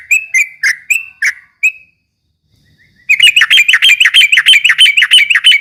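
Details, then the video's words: Yellow-vented bulbul (trucuk ropel) bait song meant to provoke rival birds: a few separate chirps and a short silence, then a loud, fast, steady chatter of bright repeated notes. "kicau suara trucuk ropel memancing emosi lawan"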